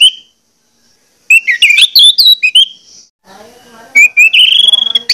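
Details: Orange-headed thrush giving a persistent lure song to draw other orange-headed thrushes into singing: a short whistle, a rich tumbling phrase of varied notes, then a quick rising trill of repeated notes over faint murmuring.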